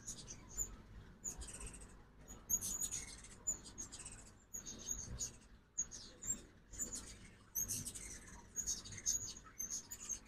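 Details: Ruby-throated hummingbirds during fall migration at a backyard feeder in Oxford, Mississippi, in the morning; dense high-pitched squeaky chips and twittering chatter repeat throughout, several birds calling over faint low background hum.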